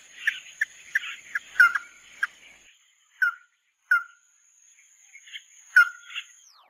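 A small songbird gives short, chirpy twittering notes in quick bursts, then spaced single calls, over a steady high electronic whine.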